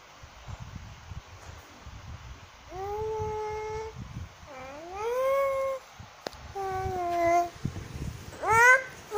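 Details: Cockatoo song over a quiet, noisy background: a series of drawn-out, wavering tonal notes, some swooping upward, ending with a short rising note.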